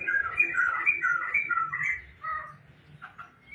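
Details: Tame, actively singing laughingthrush (poksai) at home: a quick run of rich whistled phrases, warbling up and down, packed into about two seconds, then softer, sparser notes with faint low background hum.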